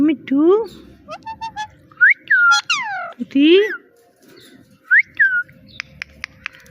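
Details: Little talking parrot chanting "Mitthu" and a mimicked "meow": rising voiced syllables with many harmonics, steep whistled slides, then quieter arched whistles and a trail of clicks.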